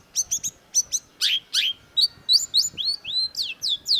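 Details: Cendet (long-tailed shrike) delivering quick chattering chips followed by strong slurred whistles that swoop downward, phrases tumbling after one another at a brisk pace.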